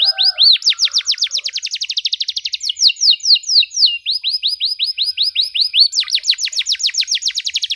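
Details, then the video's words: Canary in full song, offered as a model for young canaries: long runs of rapid, repeated down-slurred whistles, changing speed and pitch between sections, with barely a pause. "KENARI GACOR DORR NEMBAK PANJANG, CENGKOK MEWAH COCOK BUAT KENARI MUDA BELAJAR BUNYI"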